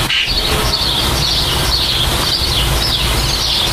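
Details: Nest-building common starlings produce an almost unbroken chatter of high, wavering whistled notes, with a steady low hum of background noise underneath.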